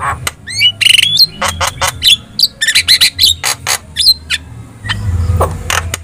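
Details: Energetic Javan myna song, used to get other birds to respond: rapid chatter of clicks, squeaky twisted whistles and buzzy notes in close succession, easing into a low hum near the end.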